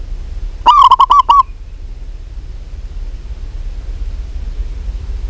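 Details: Female zebra dove of a local strain calling a male: a single rapid run of six short, punchy coo notes lasting under a second, followed by several seconds of quiet with faint low hum.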